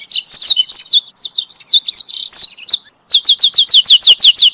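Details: Canary singing a training song for other canaries: jumbled quick chirps and warbles, then a regular series of fast downslurred high notes.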